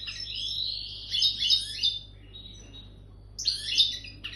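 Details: European goldfinch coming into breeding condition, singing rapid twittering phrases of high, buzzy and liquid notes: a long run of chatter for about two seconds, a pause, then a second burst.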